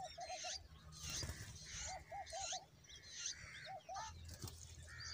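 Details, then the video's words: Bulbul parent feeding its babies a huge worm; chicks give buzzy, high begging calls in repeated bursts, while soft triple-looped hoots from another bird recur behind them and a brief rustle is heard. "The bulbul is feeding its babies a huge worm"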